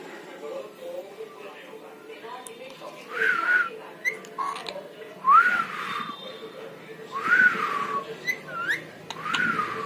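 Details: Pet parrot imitating human voices, repeated drawn-out rising and falling whistled calls about every two seconds, with a low steady hum and faint background voices.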